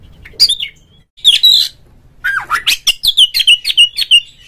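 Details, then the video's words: Oriental magpie-robin song used as a provoking lure for a kept bird: harsh scratchy notes at first, then a rapid series of about ten short descending whistles at steady pace. "suara pancingan burung Kacer agar CEPAT GACOR FULL buka ekor dongkrak EMOSI"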